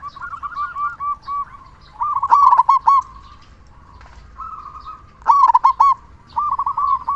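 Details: Local zebra dove with a powerful voice, kept to encourage sluggish doves to sing, alternates soft rolling coo phrases with two loud bursts of rapid, clipped cooing notes about three seconds apart.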